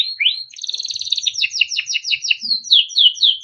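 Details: A timbrado canary sings for training: two rising sweeps, then a quick rolling trill breaking into repeated paired chirps and finally clear downward-curving whistled notes, about four per second.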